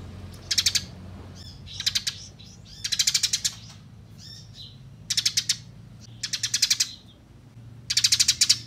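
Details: In a training recording, Eurasian tree sparrows fight, giving six short, dense bursts of piercing chirps roughly every second, with soft twittering notes between bursts.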